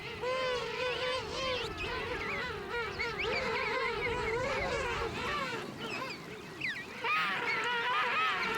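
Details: A colony of about 3,000 king penguin pairs with furry, moulting chicks huddles in snow at the foot of the mountains at Fortuna Bay while it snows. Loud, warbling, trumpet-like calls of wavering pitch overlap continuously.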